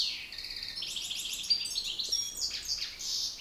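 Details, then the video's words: Singing contest between two male European goldfinches, the master and an excited challenger; a quick cascade of bright twittering notes and thin whistled squeaks, continuous and intense. "Battle de chardonnerets"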